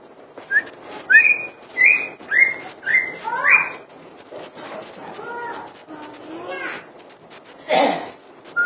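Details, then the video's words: Common iora singing a fast series of rising whistled slurs about twice per second, then lower, softer wavering notes, ending with a loud broad rushing burst and one last faint whistle. "burung cak ijo full dor"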